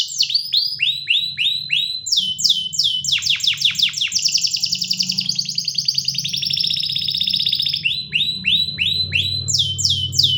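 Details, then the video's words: Canary in full song: quick downswept notes repeated in series, then dense rapid rolls and trills, returning to downswept notes, with a low humming background throughout. "جميع طيور الكناري سوف تغني بعد الاستماع إليها Canary singing"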